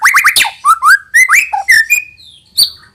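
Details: White-rumped shama singing to prompt young birds to sing: quick upslurred whistles followed by mellow rising notes and a lone high note at the end.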